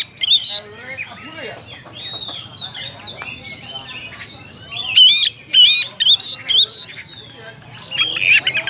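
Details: Oriental magpie-robin calling a rival, giving loud rasping and whistled bursts in short clusters separated by quieter stretches of softer background birdsong.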